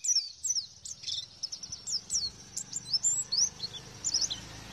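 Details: Oriental white-eye song used as a lure for lovebirds that won't sing: rapid high, thin twittering with quick down-slurred chirps in a steady stream, over a faint low background hum.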